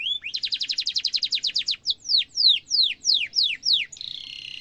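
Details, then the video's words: Canary song meant as a tutoring model for young birds: a fast, even trill of high notes, then spaced sweeping downslurred whistles, ending in a steady buzzy tone. "kenari gacor ngerol tajam cuit cuit kenari bisu langsung nyaut efektif untuk masteran kenari muda"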